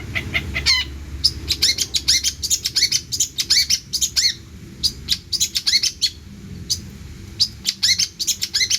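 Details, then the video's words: Long-tailed shrike delivering a vigorous song with abundant imitations, a dense stream of sharp high chirps and scratchy notes in quick clusters, barely pausing. "CENDET GACOR ISIAN MELIMPAH!!"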